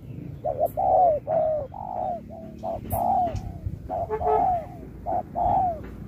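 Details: Contest spotted dove, 2024, in Thúc style with Bo. A busy run of short notes and long falling coos, some phrases overlapping as if a second dove calls nearby. Occasional clicks in the background.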